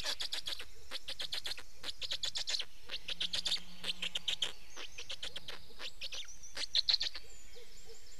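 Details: Black storks in Estonia, 19 May 2019, at the nest during change-over and feeding; rapid series of scratchy pulse bursts, with a brief low drawn-out tone in the middle and a thin high whistle near the end.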